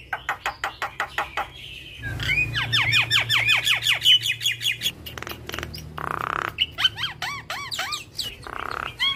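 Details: Javan myna in energetic song, full of fill phrases, recorded to train other mynas. Rhythmic clicks open a long run of repeated downward-swooping whistles, then harsh buzzes and arched, bouncing notes.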